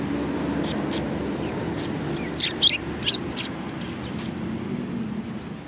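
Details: Sparrows in a group at a Tenmangu shrine, February 2020, with bright, sharp chirps coming in loose bursts, a few overlapping, against a constant background rumble of passing vehicles.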